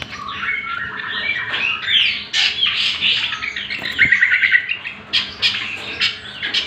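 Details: Greater green leafbird song meant to train other birds: a busy medley of whistled slurs, chatter and short trills, with a brief buzzy run midway.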